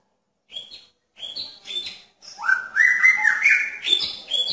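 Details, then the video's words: Courting male magpie-robin beside a female in a pairing cage: high, short, stepped whistles, then a loud, sustained, melodious warble that wavers and climbs toward the end. "Murai Jantan Menarik Perhatian Murai Betina dalam Kandang Jodohan"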